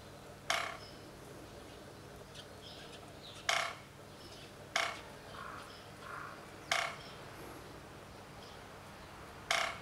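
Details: Japanese pygmy woodpecker pecking a bamboo trunk in a forest, the echoing knocks unusually loud: five sharp, hollow taps spaced one to three seconds apart, with faint soft chirps behind.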